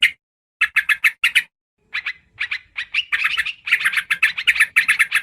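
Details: Sooty-headed bulbul lure sound: a short run of crisp chirps after an opening pause, then a gap, then chatter that builds into a dense, noisy rush of notes.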